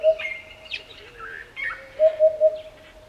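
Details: Eurasian hoopoe (Upupa epops) song in the African bush in Botswana: a soft, hollow, low 'oop-oop-oop' of three quick even notes, with higher chirping from other birds behind.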